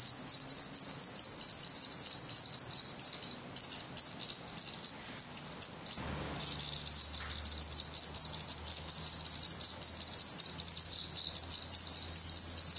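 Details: Brood of hungry, feathered Black Redstart nestlings in a nest in Portugal on 17 May 2020. Almost continuous harsh, sizzling hissing from several chicks, briefly cut off once, then resuming as loud as before.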